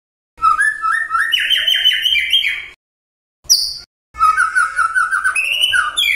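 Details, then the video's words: Magpie-robin song meant to provoke other magpie-robins into responding: loud, varied whistled phrases stepping upward in pitch, a short gap, a brief high note, then another run of rapid whistled notes. "SETIAP MURAI YANG DENGAR, LANGSUNG TERSENTAK MERESPON"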